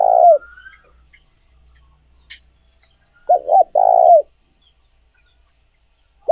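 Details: A spotted dove's decoy-training call. The tail of one coo is followed by a click, then a full phrase: two short hoots and a long, purring, slightly falling coo. Another phrase begins at the very end.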